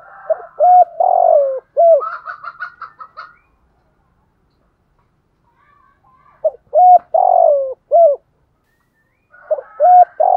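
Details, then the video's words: Decoy spotted dove cooing in the morning to lure wild doves. Low hooting coo phrases of short rising notes and a longer falling coo come in three bursts with silent gaps. A higher, quick chattering run follows the first burst. "tieng chim cu mồi gáy gọi buổi sáng, tiếng chim cu gáy kích bổi"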